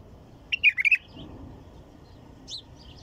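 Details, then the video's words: White-eared bulbul singing: a quick burst of four or five liquid, warbled whistled notes, followed after a pause by one faint higher note over quiet background. "تغريد بلبل طور"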